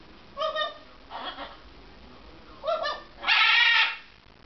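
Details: Blue-and-yellow macaw copying a dog's bark, giving clipped, harmonic woof-like yelps in pairs, then a drawn-out harsh, grating screech at the close.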